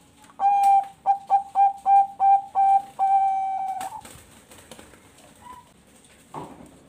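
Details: Captive zebra dove, Bangkok type, from a Bekasi, West Java breeding farm, its song serving to coax other birds to sing. A strong opening coo, a rapid string of brief coos, then one long level coo, followed by soft knocks and room noise.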